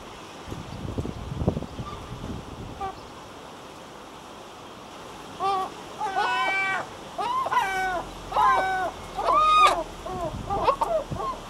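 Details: Breeding-colony herring gull: after several seconds of background rumble and surf-like noise, a bout of loud, drawn-out wailing calls with a ringing, harmonic quality, given in irregular clusters.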